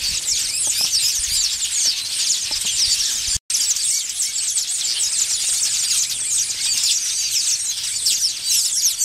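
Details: Nest-building Village weaver colony on an African safari, with males in frantic display to attract females: an unbroken wall of high, scratchy, twittering calls from many birds, briefly cut by a short silence.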